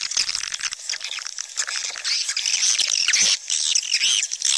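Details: Many swiftlets calling at once, giving high shrill chirps and buzzy twitters with rapid ticking clicks and a brief dip in loudness midway.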